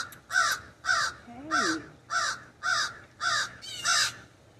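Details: A common raven perched in an ash tree in a backyard, with ravens back and ready to feed, gives seven harsh, raspy caws in a steady series, roughly one every half second, each short and hoarse with a slight downward bend.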